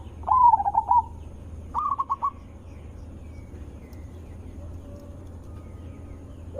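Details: Zebra dove with a loud, melodious voice, used as a lure for other zebra doves: two cooing phrases of short clipped notes that run into a slurred, wavering trill, then quiet with a low background hum.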